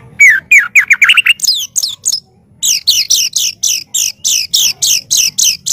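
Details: White-rumped shama singing as master audio to train birds: fast series of sharp chip notes, first lower and accelerating, then after a brief pause a steady run of high downslurred notes about four per second.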